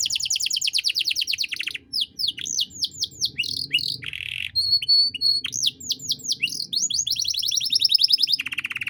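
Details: Constantly singing canary used as a master for young birds, luxurious 'cengkok mewah' style: a fast trill, a run of sweeping whistled slurs, short pure notes, more slurs and a closing rapid trill.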